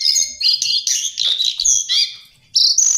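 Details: High, loud, tumbling warble of lesser shortwing (Brachypteryx leucophrys) in a tutoring recording, with overlapping slurred whistles and chirps, a short pause, then a final bright whistled note.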